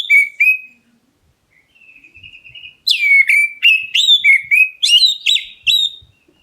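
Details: Black-breasted oriental magpie-robin calling to provoke other birds into answering: clear whistled notes, a soft warbling trill, then a quick run of sharp, sliding whistles and chirps, several per second.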